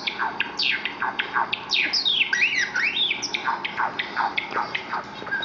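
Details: Java sparrow babies, seven weeks old, reacting to Java sparrow videos on a computer: rapid chirps about three per second, steep downward notes mixed with looping rising and falling whistles from several birds.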